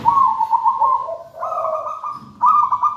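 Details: Zebra dove of wild local stock, taken from a banana plant nest, giving a steady trilled coo that drops to a lower note, a rising rolled phrase, and another bright trill.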